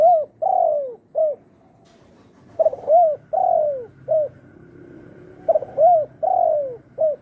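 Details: Spotted dove cooing as a trapping lure, repeated three-part phrases of short hooked coos and a longer falling coo, each phrase roughly every three seconds, over a quiet background.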